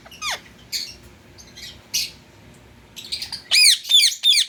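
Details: Indian ringneck parakeet kept as a pet, giving sharp descending squawks, then a rapid run of high arched screeches near the end.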